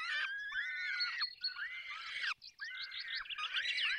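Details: A falcon nest in the Barycz Valley, Poland, at feeding: continuous overlapping arched wailing calls, one short pause midway, then quick rising-and-falling squeaks.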